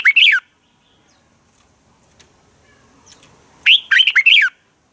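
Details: Red-whiskered bulbul fighting song used for training birds, morning song: a phrase ends at the start, then after quiet with soft chirps another loud burst of four swooping whistled notes follows.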